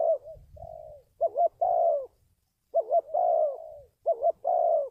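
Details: Decoy-training call of a spotted dove, used to bring wild doves in for trapping. Soft low rumbling opens under the first coos, then clear hoarse phrases follow, each a doubled short note and a sustained falling coo.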